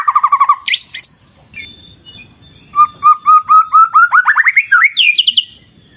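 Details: White-rumped shama (murai batu) song: a quick stutter of notes, sharp high calls, then a long series of short repeated notes that climb higher and speed up, above a steady faint high whine.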